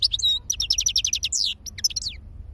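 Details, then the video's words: European goldfinch song, a quick series of bright, clipped chirps and downward-slurred tinkling notes packed into about two seconds, loud and clear over a soft low hum. "تغريد الحسون"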